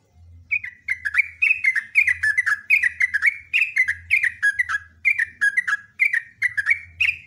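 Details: Sooty-headed bulbul delivering a continuous loud song of bright, slurred whistled notes in tight groups, repeated steadily for several seconds with hardly a break, while an intermittent low hum pulses beneath.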